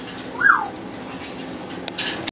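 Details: AJ, a pet talking double yellow-headed amazon parrot, gives one short, falling, voice-like syllable, followed by faint clicks and household noise in a small room.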